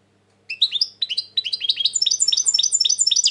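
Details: European goldfinch, said to be very tense at the moment, launching into rapid, liquid twittering song. Ringing high notes speed up into a dense, rolling chatter.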